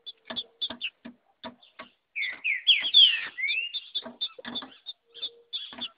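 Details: Female green-winged saltator in the wild in the bush, singing like a male: one short phrase of rich, rising and falling whistled notes in the middle, surrounded by many sharp dry clicks and ticks, with a faint steady low tone.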